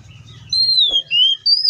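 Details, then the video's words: Oriental magpie-robin in the wild: after half a second of quiet, a sweet clear whistle slides down, then two more pure whistled notes follow, the last rising slightly; low rumble beneath. "THIS COPSYCHUS SAUCARIS BIRD MOST LUXURIOUS SOUNDS LIKE IN THE WILD!"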